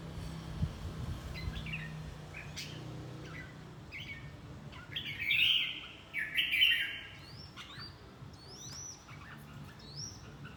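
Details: Red-whiskered bulbul, fight training, sings two loud warbled phrases mid-clip, while thin rising whistles of other birds sound before and after.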